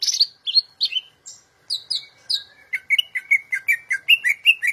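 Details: Greater green leafbird, a champion songster used for tutoring, giving high slurred whistles followed by a fast, steady series of repeated chirping notes.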